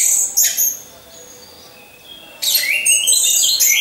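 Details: Caged orange-headed thrush in a lure recording for training competition birds: two quick high chattering bursts, a quiet stretch with faint whistles, then a dense run of rapid sharp twittering notes.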